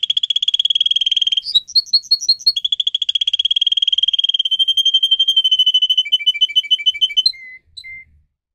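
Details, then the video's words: Canary singing a long fast trill, a short run of higher whistled notes, another long trill, then lower bubbling notes and a few drawn-out whistles fading into quiet. "Canary song video - type of song"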